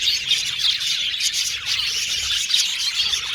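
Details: Many budgies singing at once, a thick continuous chatter of high chirps, squeaks and fast warbling trills without any break.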